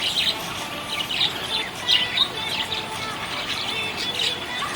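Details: A happy budgie chirps in quick, scratchy, high-pitched bursts roughly every half second to second, with brief warbled notes between them over a faint steady hiss.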